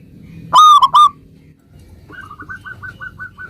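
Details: Local zebra dove in full song, its song played to prompt other zebra doves to answer at once: one loud, ringing three-note cooing phrase, then a softer run of about nine quick repeated notes over low background hum.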